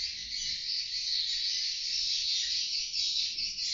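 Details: Many swiftlets calling together inside a swiftlet house, captured by an indoor CCTV camera, make a dense, unbroken wash of high, dry chirps and twitters, steady throughout with no other sounds.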